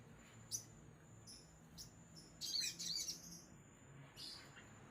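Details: Crimson sunbird giving scattered short, high chirps, then a brief tinkling trill, over a quiet background with a steady high whine.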